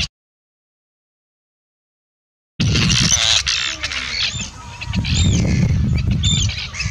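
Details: Arctic tern in the UK, July 2016. A short blip, then silence, then harsh high calls start after about two and a half seconds, including distinct downslurred screeches repeated every second or so over gusty wind noise.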